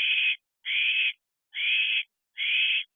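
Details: An owlet in a nesting box late at night in July 2023 gets excited, giving four drawn-out raspy hissing shrieks at steady intervals of about 0.8 seconds against silence.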